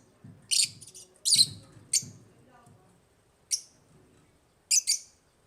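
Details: African lovebirds, pet birds in an aviary, produce harsh high chirps in short bursts spaced roughly a second apart, with soft low thumps underneath.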